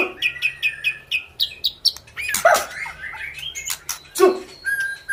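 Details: Actively singing white-rumped shama of the 'panda' type gives a run of quick repeated whistled notes, about three per second, then harsh broad bursts and a few short high whistles.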